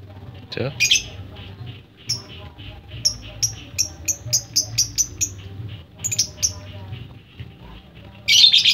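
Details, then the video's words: Lovebird in ngetik chirping: a harsh squawk, then a steady series of short, sharp, high ticking chirps, a brief pause, more chirps, and a final raspy burst, with faint low hum behind. "Lovebird kicau ngetik"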